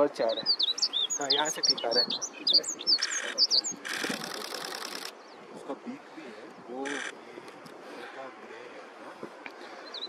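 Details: A male Himalayan Rubythroat at Sinthan top, Kashmir, in summer, sings high, squeaky, twittering phrases in the first few seconds from a perch, overlapped by people talking nearby and bursts of rustling noise.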